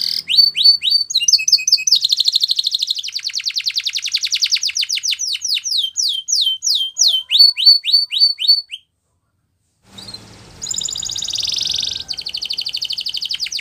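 A Spanish Timbrado canary sings fast, metallic rolling trills and bell-like notes, shifting through varied tours, then pauses briefly before resuming with buzzy chatter.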